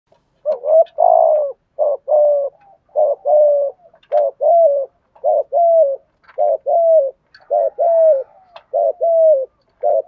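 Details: Spotted dove, a trained decoy bird, cooing to stimulate wild doves: a steady run of low, hollow, slightly rising coo notes in short groups, repeated roughly every half second to second, with no other sounds.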